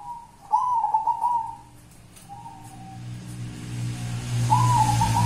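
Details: Local wild zebra dove cooing in the kuntilanak style: a rolling, trilled coo, a brief softer note, then another wavering trill, with a low hum rising in the background.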